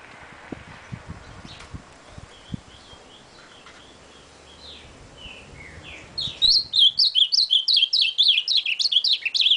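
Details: Faint, drawn-out whistles from an ultramarine grosbeak give way to a loud, rapid series of sharp up-and-down whistled notes near the end, with soft taps in the background.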